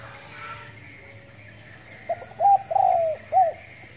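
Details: Spotted dove calling in the morning: a short soft note, two hollow coos, then a longer coo sliding downward and a final brief coo, all mid-pitched, with a steady faint hum behind.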